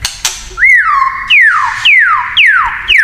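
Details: White-rumped shama (murai batu) singing its kretekan song style, said to provoke other shamas: five loud, clear downslurred whistles, each sliding from high to lower pitch, repeated about every half second after a brief opening note.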